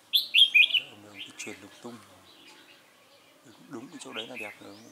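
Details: Red-whiskered bulbul singing, recorded on 22 October 2018: a loud burst of bright, warbled notes in the opening second, followed by softer chirps, with men talking over the rest.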